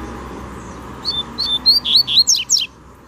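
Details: Double-collared seedeater singing in the wild during a territorial dispute: a single bright phrase of rapid whistled slurs, rising and falling, ending in sharp descending sweeps, against a quiet steady hum.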